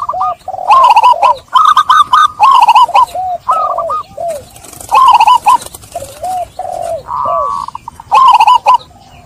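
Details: Zebra dove song played to coax stressed doves caught in traps into singing again: dense runs of bright, bouncing arched notes mixed with low drooping coos, in several loud bursts with brief gaps.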